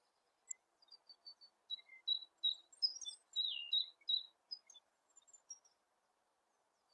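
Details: Eurasian penduline tit giving thin, high, sharp notes in a loose run, several per second, with one brief descending slurred whistle midway; faint low hum in the background, otherwise quiet.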